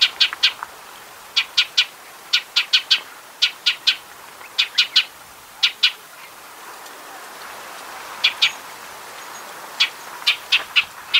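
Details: Shining sunbird, Cinnyris habessinicus, from arid Africa or Arabia: crisp high chips given in quick pairs and triplets, repeated roughly every second, with a short pause midway and a faint steady hiss.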